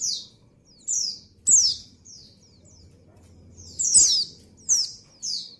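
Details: Female white-eye in breeding condition calling to the male: short high descending notes, thin and sharp, given singly or in quick pairs at irregular intervals, with a faint low hum underneath.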